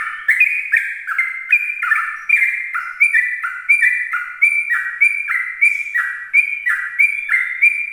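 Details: A sooty-headed bulbul sings its 'ropel' song in the morning to attract other bulbuls, a long steady string of chirpy, bubbling notes alternating between higher and lower pitches, roughly three each second.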